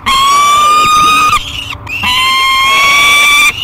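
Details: Peregrine falcon nestling, 30 days old, calling in a nest box at Great Spirit Bluff on 1 July 2021: two long, harsh, slightly rising wails, each over a second, with a brief gap between them.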